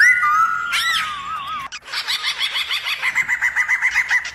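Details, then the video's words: Caged black-throated laughingthrush singing a varied 'wild voice' song, played to stir up other laughingthrushes to sing and dance; a long wavering whistle gives way to a rapid run of rolling, repeated notes, about four each second. "Khướu bạc má HÓT GIỌNG RỪNG KÍCH MÚA nhiều giọng cực hay kích khướu bạn căng lửa"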